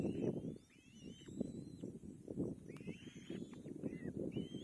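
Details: Young kite fed by its mother as it struggles to swallow: a run of high, thin whistles, each sliding upward and sometimes dropping at the end, with low rustling and shuffling noise throughout.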